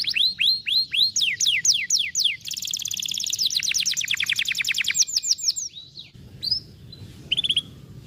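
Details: 'Vara de pescar' canary song for prompting a lazy canary to sing. Quick series of arched whistled notes, then a long dense rattling trill of tiny repeated syllables, a few sharp upslurred notes and a pause with faint background hum.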